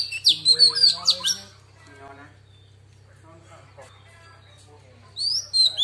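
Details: Female Oriental magpie-robin in wild-style song to excite males: a short burst of sharp whistled notes, then softer harmonic chattering sounds and quiet, before bright slurred whistles resume, with low hum throughout.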